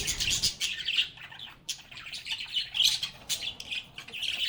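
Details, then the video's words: Lovebirds chattering and singing in a calm setting: quieter but dense high chirps, squeaks and trills from several birds overlapping continuously. "Lovebirds agapornis sounds | Relaxing Sounds of Singing, Playing, and Talking Parakeets"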